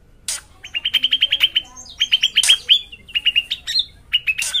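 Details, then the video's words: A drongo in full song gives long, rapid rolls of clear, bright notes, roughly ten per second, broken by short buzzy bursts, with a faint background hum. "Srigunting gacor ngeroll panjang"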